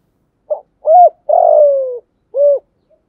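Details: Spotted dove hen cooing to attract males in the 'thổ pha' style with one ending note: a brief opening coo, a steady hoot, a drawn-out burry coo falling in pitch, and a rounded closing coo against silence.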